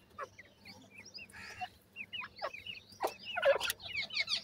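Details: Grey francolin chicks while feeding: short high peeps, some rising and some falling, scattered through the clip, with a burst of broadband rustling and sharp clicks midway and toward the end.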